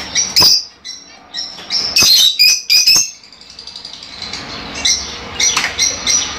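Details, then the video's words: Fischer's lovebirds, heard to prompt pairing and breeding, give loud shrill squeaks in bursts, then a quieter stretch of fast, softer twittering. "تغريد وتحفيز لتزاوج عصافير الفيشر"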